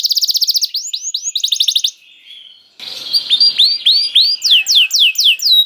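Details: Canary song used as bait to prompt other canaries to sing: fast trills of repeated high notes, then a brief quiet gap, then a series of rising and falling whistled sweeps repeated several times a second.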